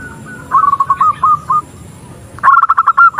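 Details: A female zebra dove calls to attract a male: a string of clipped, level cooing notes, then after a short pause a louder, quicker burst of similar notes.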